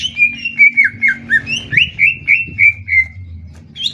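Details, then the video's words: Greater green leafbird in a 'tembak ngetrek' singing contest, Banyuwangi bird against Kalimantan bird. A quick run of clear, slurred whistles repeated about four times a second, each note bending up or down, then fading. "Cucak Ijo Adu Tembak ngetrek!!!"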